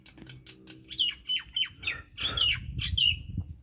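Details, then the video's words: Common myna song with harsh, buzzy squawks mixed with short whistled notes, some low background noise underneath. "MYNA BIRD SONG / MYNA BIRD SOUND /MYNAH BIRD SINGING"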